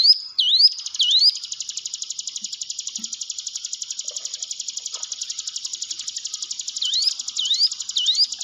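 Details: Hill prinia song used as a training lure to stimulate caged birds to sing: high, sharp upslurred whistles repeated, with a long continuous rapid buzzy trill between them.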